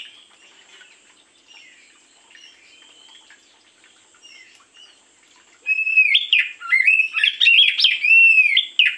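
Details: Oriental magpie-robin morning lure song; several seconds of faint background warbling, then a loud energetic stream of whistles, slurs and harsh chattering notes in the last three seconds.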